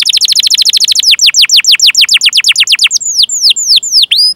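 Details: Canary song meant to set other canaries singing: a quick run of downward-slurred chirps that gradually slows, ending in a few drawn-out, bending whistles.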